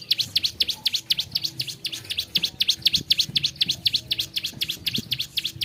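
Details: Bar-winged prinia singing, one of five song variations: a fast, even series of sharp, high, V-shaped chip notes, about four each second, steady and loud against faint low background noise.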